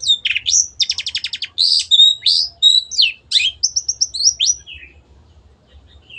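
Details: Long-tailed shrike singing energetically for a caged-bird tutor recording: a quick series of clicking trill strokes, then whistled and buzzy phrases with short slurs and chirps, fading to soft, scattered notes at the end.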